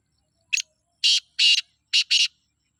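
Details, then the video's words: Black francolin (kala teetar) from Sindh giving its call: a short opening note, then four harsh, grating, broadband bursts in a rhythmic phrase, the last two close together, over about two seconds in an otherwise quiet background. "سندھی کالے تیتر کی آواز"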